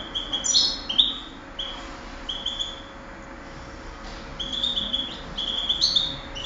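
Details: European goldfinch, a contest singing bird, recorded in 2008: short high whistled notes and thin twittering phrases spaced through the clip, with a quieter stretch in the middle over a steady background hum.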